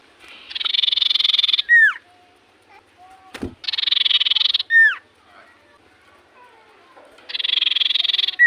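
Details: Common iora singing in full voice, three rasping rapid trills, each followed by a sharp down-slurred whistle. Soft notes and a loud click fill the pauses.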